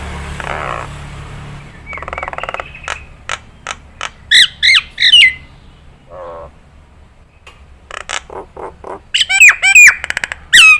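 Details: Nias hill myna song used as a tutor recording for cage birds to imitate: harsh rasping squawks and buzzy bursts, then loud, clear whistles sweeping down and up, repeated in quick series near the end.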